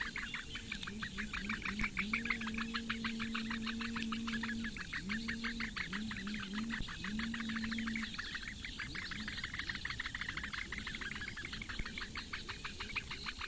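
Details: At a webcam nest in the Lake Engure reedbeds of Latvia, four Eurasian bittern chicks beg as the female feeds them on a May morning. Dense, fast ticking runs without pause, under a low humming tone that starts and stops.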